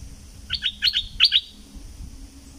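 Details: Thick-billed flowerpecker from southern Thailand, a lure recording used to bring birds in: a few paired, sharp, high chips in quick succession over a low hum.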